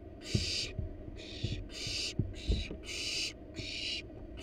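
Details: Wild barn owls in a nest box as the parents bring a rat to their nestlings: seven harsh, broadband hissing bursts, each about half a second long, with soft low thumps and knocks of movement in the box.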